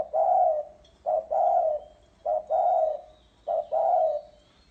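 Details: Spotted dove calling as a lure: four rhythmic phrases, each a quick coo leading into a sustained, warm, slightly descending coo, over a faint low hum.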